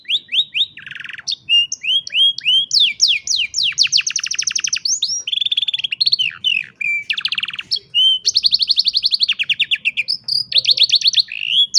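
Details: Canary song used for training young canaries, captured on a cellphone: fast varied phrases of repeated notes, rapid trills, buzzy rolls and downslurred whistles, bright and high, phrases switching every second or two, with a faint low hum beneath.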